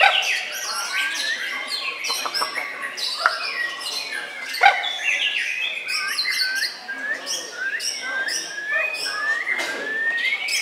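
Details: White-rumped shama runner-up in a main-class song contest, Sidoarjo, Indonesia, 21 January: an energetic stream of varied whistles, clicks and rapid trills, with many birds singing together.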